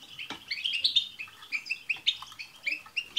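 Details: Several European goldfinches twittering together as a prompt for a pet goldfinch to sing; rapid bright chirps and short liquid phrases overlap throughout.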